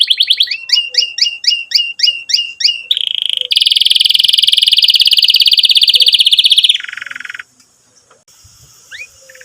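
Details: Canary in full, lively song for stimulating young canaries and therapy for birds that stopped singing: a rhythmic run of paired chirps, then a long high rolled trill dropping to a lower one, followed by near silence.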